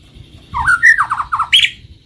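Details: Murai batu (white-rumped shama) lure song for triggering song and mating; quick looping whistles followed by a run of descending chattered notes and a harsh high burst.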